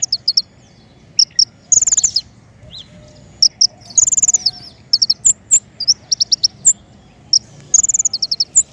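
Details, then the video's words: King konin lure song for trapping birds: shrill chirps in short fast runs, a few buzzy rattles and separated single tweets with brief pauses, against a low droning background. "PIKAT KING KONIN SUARA PANCINGAN"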